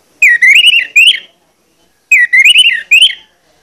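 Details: Loud lure song of an Orange-headed thrush, used to stir other males to sing. Two quick phrases of warbling, wavering whistles, each just over a second, with clean silence between them.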